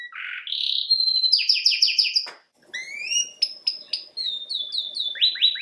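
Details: Canary song mixing a low buzz, a whistle, fast repeated chirps, a brief click, rising whistled slurs and a closing series of descending sweeps.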